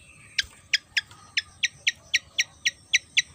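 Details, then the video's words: Javan fantail (sikatan kipas, sikatan jawa), an insect-eating bird of Java, giving a series of about eleven sharp, high chip notes spaced roughly a third of a second apart, over a faint steady hiss. "burung SIKATAN JAWA//SIKATAN KIPAS gacor"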